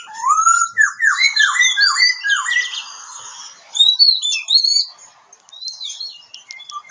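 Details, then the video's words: Oriental magpie-robin in Kebumen, Central Java: a series of five or six loud downslurred whistles in quick succession, mixed with higher chirps, then a pause and a few sharp rising whistled notes. "Suara burung kacer"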